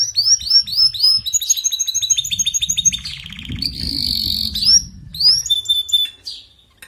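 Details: Canary song, played to encourage a weak singer to sing: high, rapid rolling trills of repeated sweeping notes, shifting between several tour types, with a buzzy rattling passage in the middle and sharp chirps near the end.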